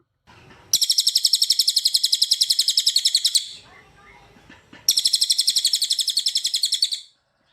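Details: A cililin recorded as tutor song for training other birds, delivering dense rapid-fire bursts. Two long, very high, buzzy trills of evenly pulsed notes each last about two and a half seconds, separated by a short pause with faint twittering.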